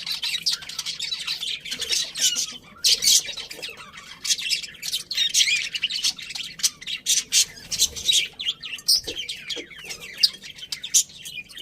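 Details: Many happy budgies chattering in a colony, with bursts of raspy squawks and quick chirps repeating irregularly, plus a few trilling warbles.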